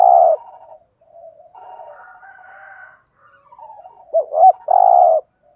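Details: Spotted dove coo meant to stimulate other doves to call: a loud long coo opens, soft murmuring follows, then two quick hooked notes and another long level coo near the end.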